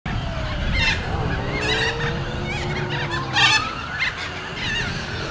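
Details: A young cockatoo being fed by an adult gives harsh, rasping begging squawks in bursts about every second, over a steady low rumble and some faint whistled tones.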